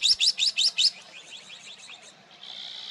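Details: Iberian magpie in a flock of about 70 birds roughly 5 m away, eastern/central Spain, late February: five quick, harsh, rising notes in under a second, then fainter calls from further birds and steady background hiss.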